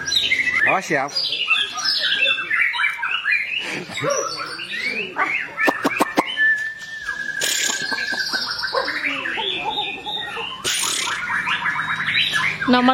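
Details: White-rumped shama song meant for tutoring captive shamas, long and varied: rolling sweeps, a sustained steady whistle and sharp clicking bursts mixed through rapid chattering phrases.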